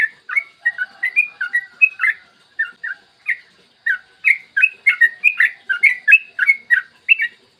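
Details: Long rolling song of a yellow-vented bulbul, recorded in the morning to coax other bulbuls into singing: chattering, bubbly whistled notes delivered in rapid clusters of three to five, separated by brief pauses.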